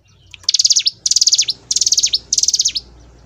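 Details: Hill prinia singing in the gacor ngebren style: four evenly spaced phrases of fast, high, ticking pulses. Each phrase lasts about half a second and closes with sharp downward sweeps, over a quiet low hum.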